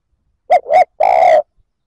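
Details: Single provoking coo of a spotted dove, a quick double hoot rising slightly, then a sustained even note lasting about half a second.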